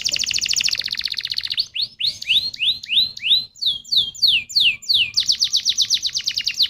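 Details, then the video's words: Canary lure song meant to set other canaries singing: a fast buzzy trill, then a run of rising and falling slurred whistles, ending in another rapid rolling trill. "Pancingan Burung Kenari Jitu Langsung Nyaut Kenari Mana Pun Bakal Ngerol Dengan ini"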